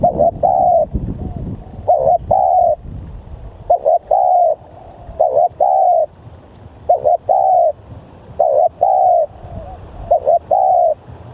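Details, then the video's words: Spotted dove lure recording of a very lively, aggressive calling bird: repeated two-part coos, a short note followed by a longer, rough, mid-pitched coo, about every one and a half seconds, over low background rumble. "Pikat Tekukur//Ini Kalau Liat Bl Sangat Bringas//Alias Sangat Gacor"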